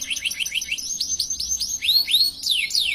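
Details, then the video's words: Canary singing a long gacor song with luxurious cengkok: a quick run of short chirps, then rising whistled notes, and bright downward-sliding sweeps near the end. "Suara Burung Kenari Gacor Panjang cengkok mewah"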